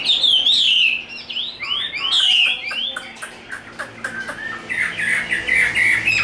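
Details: Chinese hwamei, tame and large, in fighting display: loud swooping whistles at first, then a string of shorter, scratchier clipped notes as the volume eases.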